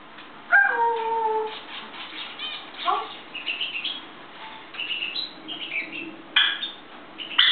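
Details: African grey parrot kept indoors, lively and cheerful in the morning on a kitchen table, gives a clear falling whistle followed by a steady low tone, then a run of short chirps, rising squeaks and brief whistled notes.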